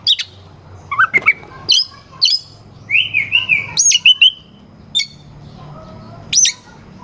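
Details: Caged oriental magpie-robin singing a lure song meant to agitate rival birds before contests: scattered sharp chips and clicks, a buzzy wavering whistle near the middle, and short high whistled notes separated by pauses.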